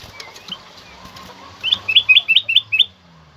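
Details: A black-crested bulbul singing loudly and clearly, meant to make other caged birds sing: a soft sliding whistle, then six fast, ringing, rising two-part notes in a tight sequence, with faint low rumble beneath.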